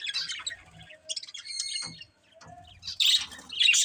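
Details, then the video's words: Budgerigar chirps in short bursts: a scratchy chirp, a few thin whistled tones, a quiet gap, then a loud burst of harsh high chatter near the end. "Cute Colourful Budgies Chirping Sounds"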